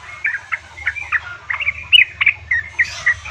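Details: Female yellow-vented bulbul call to a male, a lure for reluctant caged birds: loose series of short chirps and warbled notes, roughly three or four per second, over steady low hum.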